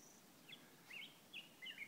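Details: Wild bird heard on a hike in Waldo Canyon: four short, squeaky chirped notes about every half second, each a quick twisting high phrase over a steady outdoor hiss.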